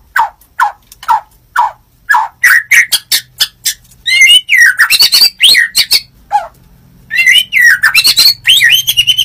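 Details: White-rumped shama (murai batu) from Indonesia singing in the morning to provoke other shamas. A run of short, falling notes about every half second breaks into loud, dense bursts of harsh buzzy notes and ringing whistled slurs.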